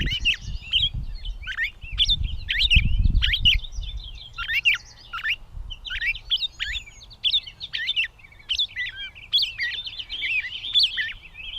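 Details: Gray catbird in Bowdoinham, Maine, on 16 May 2020 delivering a long run of varied, jumbled phrases, mixing squeaky chirps, whistles and harsher notes, each phrase short and quickly followed by the next, with low rumble early on.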